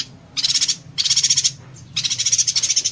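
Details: Yuhina singing the dense 'konslet tembakan rapat' style, a tutor recording for songbirds: three short bursts of rapid, shrill, machine-gun-like pulses with brief gaps between them, over a faint low hum.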